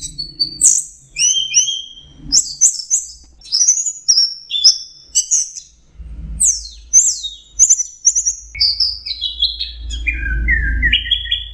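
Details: Orange-headed thrush in varied song for songbird training: a continuous stream of high slurred whistles, chirps and falling buzzy phrases, closing with lower trills, over faint rumbling noise.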